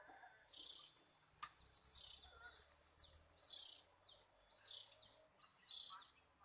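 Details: Oriental magpie-robin, known locally as kacer, singing while relaxed: a fast, high run of rattling chips for about three seconds, followed by several loud harsh, scratchy phrases with short pauses between them.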